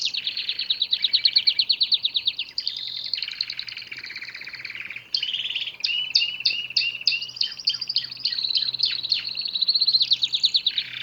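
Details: Canary song opening with fast pulsing trills, shifting into buzzy rolls and then evenly spaced sharp downslurred notes, ending on another quick trill.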